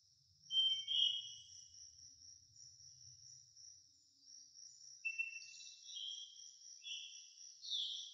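Brahminy starling giving short whistled and slurred notes, one early and a busier run near the end, over a steady high insect drone and a faint low rumble.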